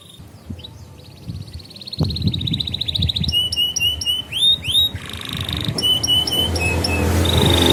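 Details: Canary song as a lure for young canaries: a fast rising trill, then bright repeated chip notes and looped upswept whistles, with low background rumble.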